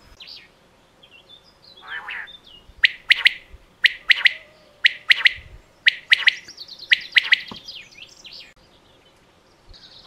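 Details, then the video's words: Common quail giving crisp repeated three-note calls, a single clipped note followed by a rapid double, phrases roughly every second, with softer chirps and twitters from other birds before and after. "صوت الفري"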